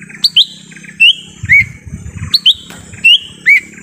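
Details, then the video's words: Lesser green leafbird in a forest, a recording used to lure wild birds: clear whistled notes in quick pairs, some rising and some dropping, repeated through the clip over a low rumbling background. "suara asli pikat cucak ijo mini di hutan"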